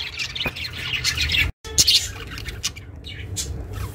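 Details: Budgerigar kept at home, chirping for solitary budgies; scratchy chirps and thin whistles, a brief silent break partway, then more bright twittering notes, over a low hum.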